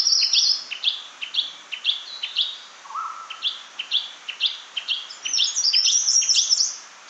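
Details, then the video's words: Shrike-babbler repeating short, clear, downslurred whistled notes roughly twice a second, with one lower drawn-out whistle midway and a brighter, busier high flourish near the end. "Tiếng chim Khướu Shrike, Khướu mỏ quặp cánh vàng"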